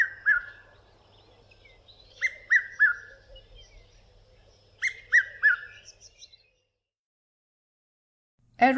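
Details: Red-chested cuckoo in southern Africa giving two bursts of three loud, falling whistled notes, 'piet-my-vrou', with thin high chirps from other birds behind.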